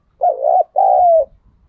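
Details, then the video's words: Spotted dove giving a stimulating coo, played to make other doves coo along: two mellow, low hooting phrases, the first wavering and the second a longer steady note that slides slightly down, with no other sounds. "Tiếng chim cu gáy thúc gù"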